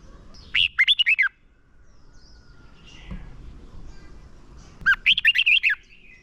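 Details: Red-whiskered bulbul decoy bird singing a contest-style fighting song used to lure and train other bulbuls: two loud phrases of fast, rolling whistled notes, each about three-quarters of a second long, separated by a quiet pause.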